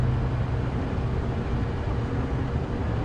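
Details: At sunrise on a safari drive, only the low, steady drone of a vehicle engine fills the air, with no animal call.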